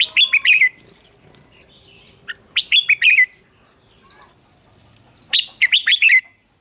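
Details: Red-whiskered bulbul singing in a contest-style song, phrases of loud, bright, slurred whistled notes around two to four thousand cycles, repeated in bursts about every two to three seconds, with higher thin notes between and quiet background.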